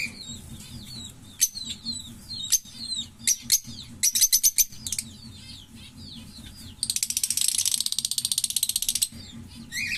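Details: Green Fischer's lovebird pair singing a long-lasting song: sharp high squeaks and chirps in uneven bursts, followed by a sustained fast buzzing rattle of repeated notes for about two seconds, then a closing squeak.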